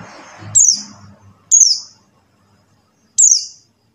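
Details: Three piercing, high down-slurred call notes from a buxtoni white-eye, spaced irregularly about a second or more apart. A brief low rumble comes at the start. Meant to coax quiet white-eyes into song.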